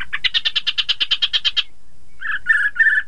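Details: Chinese hwamei song for drawing rival birds into singing: a rapid even train of about fifteen buzzy notes, a short gap, then three harsh burry notes.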